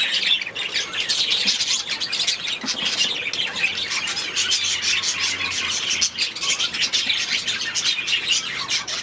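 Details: Budgerigars chatter together in an aviary, a thick, steady blend of soft warbling, squeaky chirps and rasping notes with little variation in loudness throughout.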